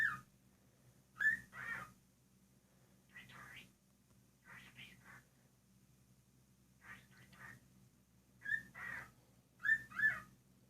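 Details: A seven-year-old rescued cockatiel relearning to talk chatters in short, whispery mimicked phrases broken by bright whistled notes over a low steady hum, then says "pretty birdie, pretty bird".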